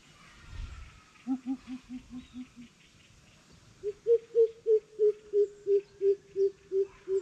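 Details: Greater coucal calls: a run of six quick low booming notes, then after a pause a longer, slightly higher series of about eleven steady hollow hoots, evenly spaced, with faint background rustle.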